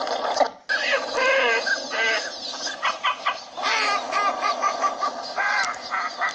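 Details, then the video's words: Several northern shovelers calling together, short stacked nasal quacks and bent honks in quick clusters, loud and overlapping, after a brief opening pause, with a steady background murmur of more birds. "Shoveler Duck Call"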